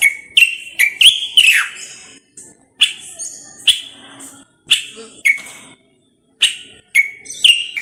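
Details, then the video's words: Common bulbul, Moroccan, singing short whistled phrases: each a sharp note dropping into a warbled slur, repeated about every second with pauses between. "استرخاء مع تغريد طائر البلبل المغربي صوت صفير البلابل."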